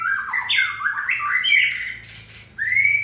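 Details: White-rumped shama in fiery 'lửa' peak condition during the 2020 season, delivering a rich whistled warble that rises and falls in quick slurred phrases, then a brief pause before a final rising whistle.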